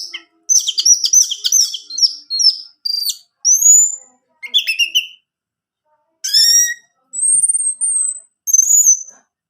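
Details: Orange-headed thrush song for encouraging a kept male to sing: a dense varied warble at first, then separated high whistles, a harsh buzzy note and clear descending whistled phrases.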